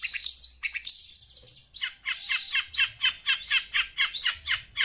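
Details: Noisy pentet, or shrike, answering audio from a phone; opening shrill squeaky notes give way to a steady series of rasping, high chirps about one or two per second, evenly paced, with a faint low background hum.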